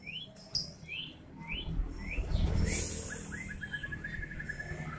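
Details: White-rumped shama song: a series of short rising whistles repeated about every half second, then a fast even trill of clipped notes, against low rumbling background noise.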